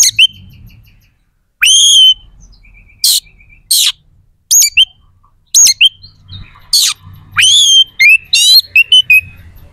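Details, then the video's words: White-rumped shama, a bird kept for song, singing loud phrases of whistled rising notes with buzzy harsh bursts and rapid chattering, separated by short pauses; faint low background hum. "SUARA KACER GACOR🔴 AMPUH JEBOLKAN EMOSI DAN BIRAHI KACER"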